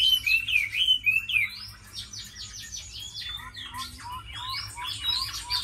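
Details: Tame hwamei, prized as a fighter with a fine voice, opens with loud, looping whistles, then runs into a quicker series of clipped, rising notes and a closing burst of varied phrases.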